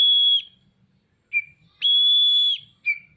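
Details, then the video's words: Oriental magpie-robin (kacer) singing energetically (gacor) while spreading its tail: two long, level, pure whistles, each close to a second, each followed by a short lower slurred note, with quiet low rumbling between. "Burung Kacer gacor buka ekor"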